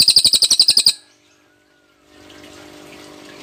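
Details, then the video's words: A cililin's tembakan song: roughly a second of quick, piercing, repeated high notes that cut off abruptly, followed by near silence and then soft background hiss. "tembakan suara burung cililin dokor - suara burung berkicau"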